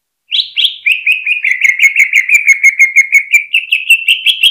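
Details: Caged greater green leafbird (cucak ijo) song played to provoke rival birds: a fast run of about thirty short chipping notes, dipping slightly then rising again in pitch, with a rattling, chattering quality.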